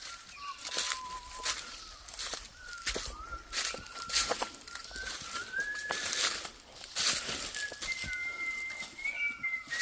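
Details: Birds chirping outdoors: long, thin whistled notes that slide gently up and down, some level and some rising, over a steady rushing background with frequent sharp bursts of noise.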